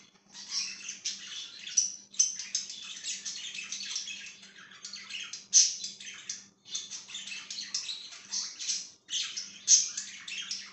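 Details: Chirping budgie indoors, 5/10/2023: long stretches of dense, gritty warbling chatter broken by short silences, with occasional sharp squeaks and a low background hum.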